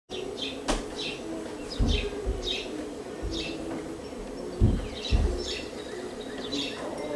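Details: Juvenile house sparrow in a North American backyard in summer, brought by its parents, calls alone: short, bright, downslurred chirps, about a dozen at uneven intervals, over low thumps and rumbling wind.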